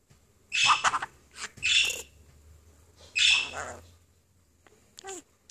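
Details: Pet budgerigar perched on a person's finger, chatting away: a few scratchy, buzzy bursts of warbling chatter separated by short pauses.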